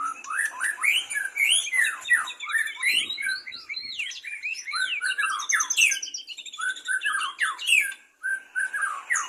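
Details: Captive-bred white-rumped shama in full song, a continuous, richly varied stream of fluty whistles, quick slurred phrases and high squeaky notes with hardly a pause, close and loud in a quiet setting.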